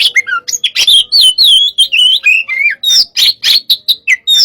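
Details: White-rumped shama of the hot type singing a fast, dense run of high whistled and slurred notes, rising and falling between mid and very high pitch, with sharp chirps packed closely together.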